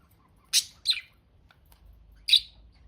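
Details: Pet budgerigars chirping: three short, sharp high chirps, a pair close together then a single one after a pause, in an otherwise quiet room.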